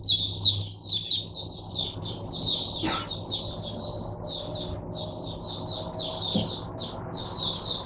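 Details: Mata puteh, or oriental white-eye, in a cage as a song tutor for other white-eyes, 22 January 2022: steady high chirps about two per second, with a single click partway through.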